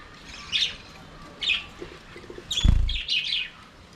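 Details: Budgerigars in their aviary: a few brief, bright chirps spaced about a second apart, then a quick run of twittering notes, with a heavy low thud from movement partway through.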